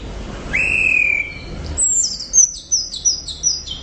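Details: Orange-headed thrush in full, loud song: one long, level whistle followed by a quick series of very high, falling, piping notes.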